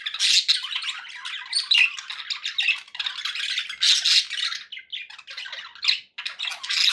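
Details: Contented pet budgerigars giving dense, harsh chattering and squawky chirps in a continuous stream, with a short gap near the end.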